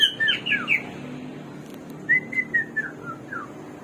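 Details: Hwamei (samyong, garuwa), a bird of 1001 voices, gives two bursts of song: first a few swooping, slurred whistles, then after a pause a falling series of about six clear whistled notes.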